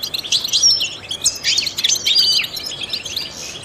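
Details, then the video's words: Trained goldfinch singing a rapid, jangling twitter of high chirps, short whistled glints and buzzy fragments, the phrases pouring out with hardly a pause, used to stimulate other songbirds. "in the wild goldfinches chirp to stimulate songbirds"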